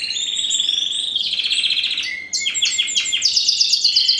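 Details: Spanish Timbrado canary, a first-generation cross with wild canary, bred in 2015, singing: a sustained trill gives way to downward-sweeping repeated notes, then rapid high rolling phrases, loud and continuous.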